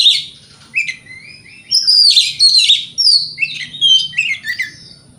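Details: Morning song of the white-rumped shama, used to get rival birds to respond: an energetic string of varied whistles, quick slurs and bright high trills, almost continuous over five seconds.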